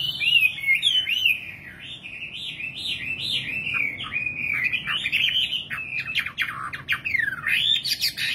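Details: A nightingale sings a long, fluid warble of wavy notes, then breaks into sharp, rapidly repeated upward and downward sweeps.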